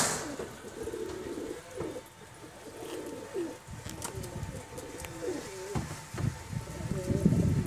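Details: Kept pigeons raised at home as a hobby breed flock, cooing in low rolling, wavering phrases repeated through the recording, with a few sharp clicks and a louder rustle near the end.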